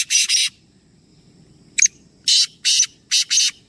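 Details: Three black francolins calling: two rasping notes, a pause, then a sharp click followed by four harsh grating buzzy notes in quick succession, set against a faint low rumble.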